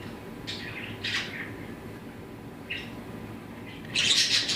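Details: A male pet sun conure gives a few short, harsh, grating squawks, ending with a louder, longer screech.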